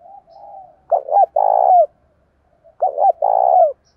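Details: Spotted dove calling to challenge, in the local thổ voice. A faint low coo leads into two phrases, each a pair of quick looped notes and then a long, throbbing, slightly falling coo. Silence is heard between the phrases.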